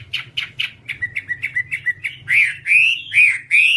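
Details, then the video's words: Whambie song for training caged birds: a string of quick chirps, about four per second, opening into long, rising, slurred whistles. "Masteran Whambie nonstop 1 jam"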